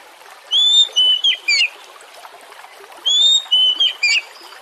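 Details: Kacer, Oriental magpie-robin, singing as a lure for other birds: the same phrase of three or four whistled notes given twice, about two and a half seconds apart, over trickling water.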